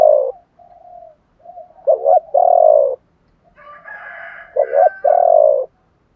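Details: Spotted dove calling in the 'thổ bầu' style, male and female voices to spur trained doves to coo; soft coos lead into a stressed double note and a long falling coo, with a faint rough overtone sound near the end.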